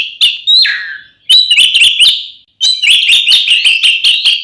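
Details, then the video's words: Oriental magpie-robin fighting song intended to provoke other magpie-robins: a drawn-out whistled note bending downward, then quick runs of sharp whistled chips in two bursts. "SUARA BURUNG kacer gacor NGEPLONG TARUNG ini paling AMPUH buat PANCINGAN KACER agar EMOSI"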